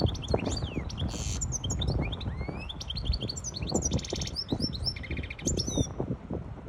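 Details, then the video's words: Hybrid European goldfinch singing to tutor young birds and excite a female for mating: a busy twittering run of fast chirps, sharp rising and falling whistles and short buzzy trills at about two-second spacing, over steady low rumbling background noise. "تغريد طائر هجين الحسون لتسميع الفراخ و لتهييج انتى الحسون"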